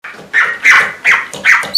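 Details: Red-rumped parrot (Psephotus haematonotus) mimics a neighbour's small barking dog: four short, rough, yappy barks about 0.4 seconds apart, higher and thinner than a real dog.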